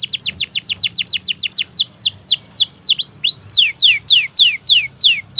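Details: Canary song meant to coax silent birds into singing: rapid descending whistled notes in a fast trill, shifting midway into slower, wider swoops and rising-falling notes, then a brisk run of sweeping phrases.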